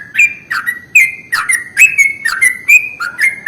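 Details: Lure sound for yellow-vented bulbuls, meant to attract and stimulate them. A loud, fast string of liquid chirps that slide up and down, each note clipped and bouncy, with no other sounds.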